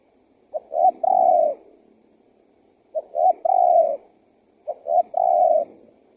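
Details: Spotted dove coo played to lure wild doves and get them calling back: three phrases, each two quick short notes then a long, even, slightly falling mellow coo, repeated about every two seconds against a quiet background.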